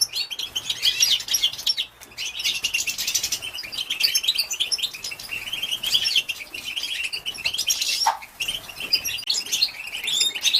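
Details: Stimulating calls of a female European goldfinch for males: long runs of sharp, high chirps and jangling twitter, with a brief pause near two seconds and a lower downward note around eight seconds.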